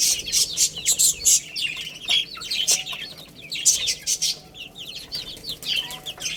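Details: Chicks busy eating and playing, with a steady stream of high, descending peeps, several strong bursts early on, and clicking pecks mixed through.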